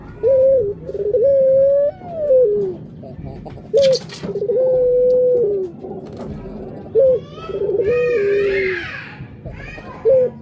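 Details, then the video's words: Barbary dove repeating its coo roughly every three seconds. Each phrase is a short punchy note and then a sustained, slightly rising, then falling tone. A child's voice is heard near the end. "Burung Puter"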